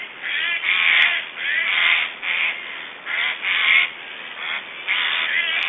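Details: Black storks feeding in Estonia, 1 July 2012, make strange sounds: a steady sequence of rough, wheezing rasps, roughly two per second, uneven in length and loudness, with almost no quiet between them.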